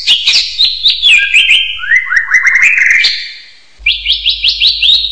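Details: Hill myna calling in a chain of short upward-sweeping whistles stepping down and up in pitch, a short pause, then five quick, bright rising whistles in a row.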